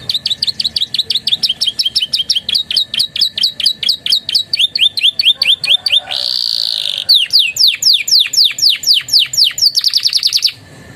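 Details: Canary in energetic master song filled with Javan tesia and bar-winged prinia phrases: rapid series of high, downward-sweeping whistled notes repeated about twice a second, broken by a short buzzy trill, then more sharp sweeping notes.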